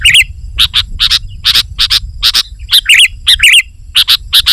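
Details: Sooty-headed bulbul singing to entice wild bulbuls: irregular short chirps mixed with rich gurgling, looping slurred notes, steady and loud over faint low rumble.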